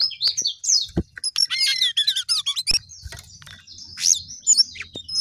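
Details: Sooty-headed bulbul in lively full song; rapid varied chirps, bubbling trills and bright rising and falling whistles, broken by a few sharp clicks, over a faint low rumble.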